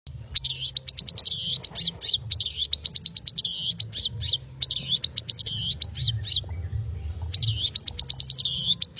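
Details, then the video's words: Long-tailed shrike singing in the fast, dense 'konslet' style: bursts of harsh, buzzy, high chattering notes in tight rapid runs, broken by short pauses, with a faint low hum underneath. "Cendet konslet gacor speed rapat"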